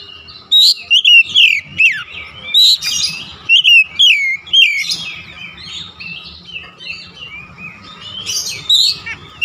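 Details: Oriental magpie-robin, kept bird, singing a varied run of loud whistled notes with sweeping, rising and falling slurs and sharp chirps, delivered in bursts separated by short pauses; a faint steady hum in the background.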